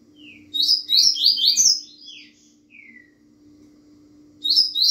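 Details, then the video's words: Double-collared seedeater singing the fast Bahiano-style song: a dense burst of rapid, high, buzzy chirps and slurred notes lasting about a second, a soft falling whistle, then a fresh burst beginning at the end, over a steady low hum. "coleiro Bahiano rapido"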